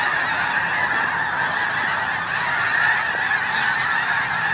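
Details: Huge flock of snow geese at Hagerman NWR blasting off early without warning, a steady roar of high, nasal yelping honks blending into one continuous clamor.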